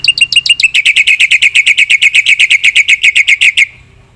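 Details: Black-winged myna in vigorous fill-in song: a steady, very rapid string of bright chirps, about six per second for over three seconds, then the bird falls silent.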